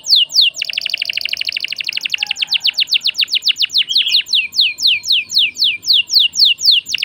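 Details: Lively canary song meant to provoke other birds into singing: a dense buzzing trill flowing into steady series of sharp descending whistled notes, about four per second, high and clear throughout.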